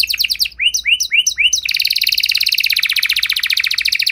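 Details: A singing canary, used to prompt other canaries to answer, opens with several slower upward-slurred whistles, then switches to a fast, dense, high trill of repeated short notes.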